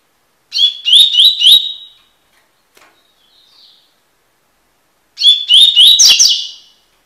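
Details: Double-collared seedeater (Sporophila caerulescens) song used for song-tutoring: two bursts of high, buzzy twittering, each a quick run of sharp chirps and trills under two seconds, with a pause between.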